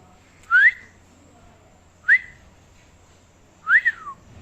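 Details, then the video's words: Parrot producing three separate rising whistles spaced over a second apart, each a quick upward slide, the last one doubling into a rise and fall, in a quiet room with faint background hum. "Most cute parrot talking video | Funny parrot talking"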